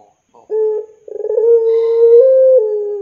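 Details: Spotted dove, a prolific singer, giving a lure call meant to prompt young doves to sing: a short stuttering note, then a long steady low coo that opens with a rapid pulsing tremolo and holds an even pitch.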